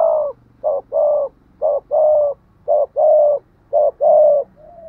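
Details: Spotted dove in a tho-voiced cooing style, giving repeated paired coos, a short note then a longer falling one, about once a second.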